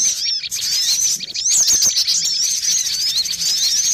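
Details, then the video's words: Cinereous tit lure for catching birds: a crowded wall of shrill chirps and zigzag whistled notes, overlapping continuously and getting louder after the first second and a half. "Suara pikat burung gelatik batu ribut"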